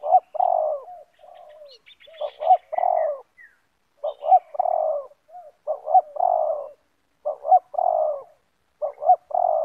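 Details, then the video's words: In a yard, a decoy spotted dove and a wild rival, both loud banggo-type callers, trade repeated multi-part coos: low, husky, rolling phrases in steady bouts separated by short silences. "Spotted Dove - Banggo VS Banggo bertemu di laman"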